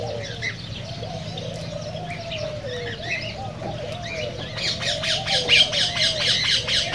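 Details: Cockatiels, in a sound meant to stimulate them to sing and mate: a chorus of low wavering whistles gives way, after about four and a half seconds, to a fast series of harsh, bright squawks roughly twice a second.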